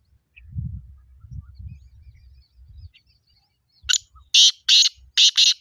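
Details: A black francolin opens with a short introductory note, then gives four harsh, grating calls in a fast series over low rumbling background noise.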